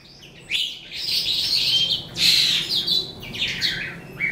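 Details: Eastern calandra lark, subspecies psammochroa, starting to sing at the end of the day: after half a second of quiet, a dense tumbling stream of high chirps, trills and short slurred whistles runs on without pause.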